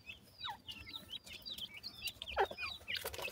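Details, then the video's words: Soft, fairly distant high peeps from francolin chicks feeding and playing in the evening, some sharply falling, repeated irregularly over a low background rumble and a few taps. "baby pheasants feed,and play in the evening,teter checks ki sound"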